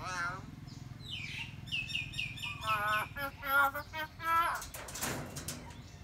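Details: Pet myna talking in a run of repeated, rising-falling voiced syllables with harmonic stacks, followed by a noisy rasping burst near the end.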